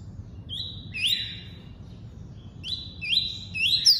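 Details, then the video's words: Double-collared seedeater singing the tuí-tuí song type: drawn-out high whistles that slide upward into sharp rising notes, a two-part phrase near the start and another pair toward the end, over a quiet low hum. "COLEIRO FLASH ENCARTE (TUÍ-TUÍ)"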